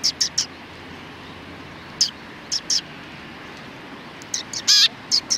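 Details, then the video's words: Sparrows, several together, recorded 31 October 2019, giving scattered short high chirps in small pairs and triplets with quiet gaps, plus one longer, harsher trilled note near the end. "可愛いすずめ達 20191031 1（くっつき君と意味不明な会話）"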